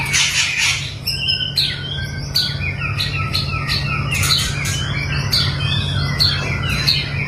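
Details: White-rumped shama, long-tailed type, in mental training delivers rapid whistled notes with clicky bursts every second or so, over loud broadband background noise and low hum.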